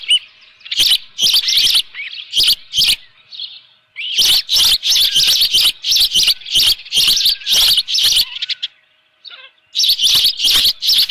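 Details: Osprey calling at the nest with a live fish, 24 June 2018, 7:32 AM; fast, regular streams of loud shrill cheeps, about two to three a second, interrupted by one short pause.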